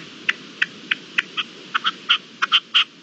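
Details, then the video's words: Red-legged partridge calling at dawn on 18 April 2021: sharp, clipped notes with bright upper tones, starting sparse and growing louder and faster across three seconds. "Amanece con el reclamo de la perdiz"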